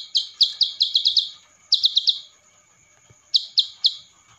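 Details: Ciblek sawah singing in a training recording, Cililin-style fill: three short bursts of crisp, buzzy high chips, roughly six, four and three notes, separated by pauses, over a quiet background with a faint constant high tone.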